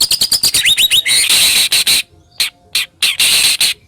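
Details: White-rumped shama song, harsh and sharp, played to provoke other shamas into singing: a quick run of rising whistled notes, then dense grating bursts and short rasping notes separated by pauses.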